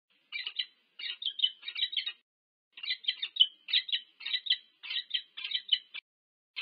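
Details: Peregrine falcon pair at their nest at UC Berkeley, USA, 25 August 2023, nest camera audio: bursts of harsh, chattering calls in clusters, a longer pause near the start of the second half, otherwise quiet.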